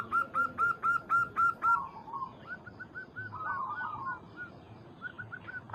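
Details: Local zebra dove calling a rival: a crisp run of about seven evenly spaced, ringing coos, followed by softer, overlapping wavering coos that suggest a second dove answering.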